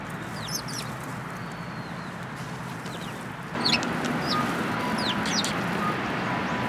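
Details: Sparrows gathering to be fed at a Tenmangu shrine, 24 February 2022: after a quiet start, several short, sharp chirps break out against steady background hiss, some sliding downward, scattered irregularly.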